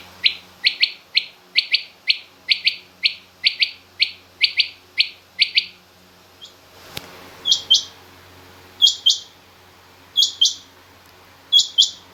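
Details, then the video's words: Female rain quail calling amid mixed quail calls, king quail included. A fast, steady run of about a dozen high doubled notes, then a sharp click. Four spaced pairs of higher, buzzier notes follow. "Female Rain Quail Calling"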